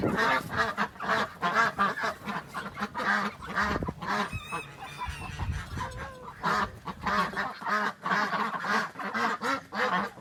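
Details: Farm ducks, real recording for young children learning animal sounds: many rough nasal quacks tumbling over each other, a short thin whistling tone and a brief pause midway, then the dense quacking chorus resumes.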